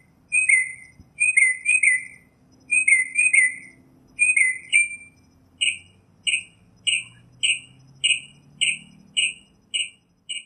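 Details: Northern mockingbird giving four bursts of trilled, chirping notes, then switching to a long series of short, sharp single notes repeated about twice per second.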